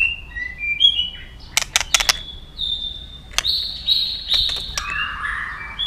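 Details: White-rumped shama song used to stimulate and train other shamas to sing: soft, scattered high whistles broken by brief sharp clicks, then a sustained bright whistle and lower warbled notes. The overall level is quiet.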